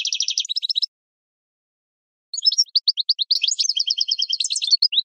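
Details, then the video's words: A European goldfinch sings a bright, tinkling stream of rapid chirps and liquid twitters: a short burst, a pause, then a longer jangling phrase. It is used as a training song for cage birds. "Goldfinch Singing"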